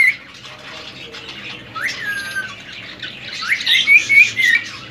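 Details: Three-year-old male ring-necked parakeet, a semi-tame indoor pet, lets out a single falling whistle and then bright rising chirps, while a person talks softly to it in the background.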